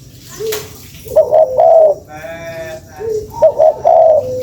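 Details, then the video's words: Spotted dove lure call, two sets of short-short-long coos, preceded by low sliding notes, with a brief nasal, buzzy sound between them. "SUARA PANCINGAN BURUNG TEKUKUR"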